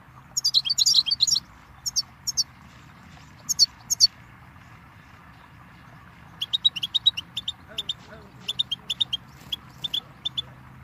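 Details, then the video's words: Goldfinch giving a flurry of high twittering notes, a pause of a couple of seconds, then a steady run of clipped, bright chirps. "Birdsong Motivation Let Goldfinches Inspire Your Success"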